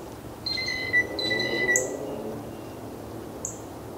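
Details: A male Northern Cardinal gives two clear, steady whistles of under a second each, plus two sharp, high chip notes, over a soft background hum.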